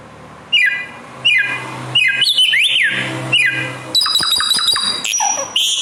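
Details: Bare-throated whistler (samyong), an Indonesian endemic noted for fluently and loudly mimicking other birds: loud whistled notes sliding down from high to mid pitch, repeated about every 0.7 seconds, then a burst of sharp chirps and high trills.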